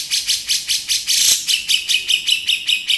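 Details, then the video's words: A male grey-cheeked bulbul gives a harsh, high, scratchy chatter, repeated about five times a second in even pulses, with no other sounds; recorded on 30 October. "Cucak Jenggot Jantan Beset"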